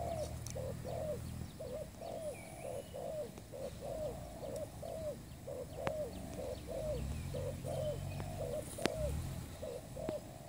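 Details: Spotted dove call used as a lure for trapping birds: a steady run of short hooked coos near 600, repeated about once a second for the whole stretch, with low rumbling background noise and occasional sharp clicks.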